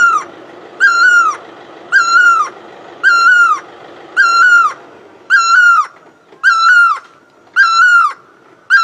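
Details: A great barbet repeats its ringing, nasal note eight times at a regular pace of just over a second, each note flat and then curling downward. A faint hiss is heard in the first half.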